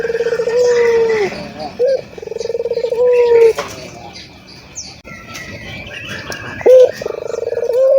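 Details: Ringed turtle dove, a local bird known for cooing freely. Two pulsing purr-and-coo phrases are followed by a quieter gap, then a sharp short note and another vibrating roll begins. Distant chirps and light background noise are audible.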